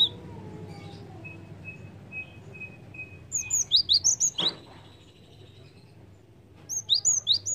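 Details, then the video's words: Lure recording of Java sparrow calls: two bursts of rapid high chirps, six or seven notes each, sharp and slurred, with a faint steady whistle-like tone and a brief knock between them. "PANCINGAN BUNYI BURUNG GELATIK"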